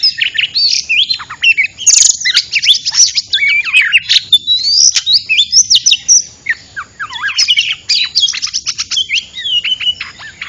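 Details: Oriental magpie-robin lure song for trapping: lively varied phrases of up-and-down whistles, short chirps and harsher notes, one loud squeak near the start, flowing almost continuously.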